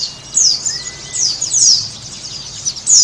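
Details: High, thin, quickly repeated downslurred chirps from a Sunda white-eye, in short irregular bursts, used to coax a caged bird into singing.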